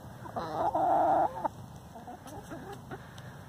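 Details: Fat free-range hen grumbling, the loud protest that comes when hens dispute who lays in which nest: a strong, harsh, level squawk of under a second, then soft scattered clucks and faint knocks.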